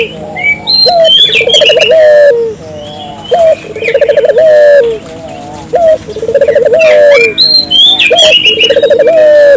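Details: Barbary dove (puter) in full, persistent voice, used to prompt local doves to call: low rolling coos in three bouts, each a short coo then a pulsed, stuttering coo, about every two and a half seconds, with high chirps from other birds throughout.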